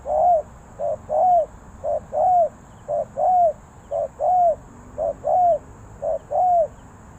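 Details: Spotted dove cooing in the three-coo 'kuk hoi' style, Ninh Thuận, Vietnam: steady paired phrases, a brief low note then a drawn-out downcurved coo, repeated about once a second over a quiet background.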